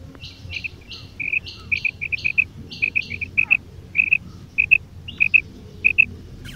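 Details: Female and male quail calling together: sharp, high, clipped notes given mostly in pairs, about two pairs a second, some with faint buzzy overtones above, over a low background rumble.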